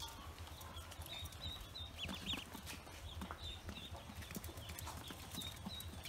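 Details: Pekin ducklings just out of the egg on a farm: bursts of high short cheeps, clustered early and midway, against a low mechanical hum and soft clicking.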